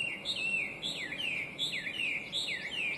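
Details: Chinese hwamei, listed among the worst invasive alien species, singing a cheerful complex song: loud slurred whistles that swoop downward, repeated in quick sets of paired notes throughout, over a calm outdoor background.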